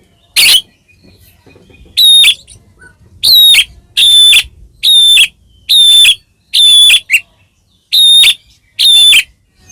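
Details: White-rumped shama, a caged bird, in a recording used to provoke other shamas into singing: loud, clean whistled notes near the top of the range, repeated in separate bursts roughly every second with short gaps of silence.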